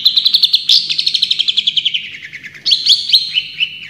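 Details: Cendet (Long-tailed Shrike), a champion bird, singing full tembakan: a quick run of repeated chips gliding slightly lower, then sharp upward-flicked whistles and buzzy notes, all high-pitched and rapid.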